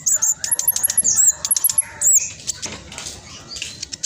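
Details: Spotted black sunbird, a strong singer used to draw song from silent caged birds, gives quick high sweeping whistles and sharp ticks, about one burst per second, fading into softer twitter.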